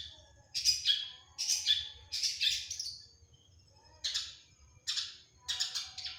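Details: Cendet (long-tailed shrike) in a mimicry-filled 'tembakan' song: three loud rasping downslurs, a pause of over a second, then three more grating bursts.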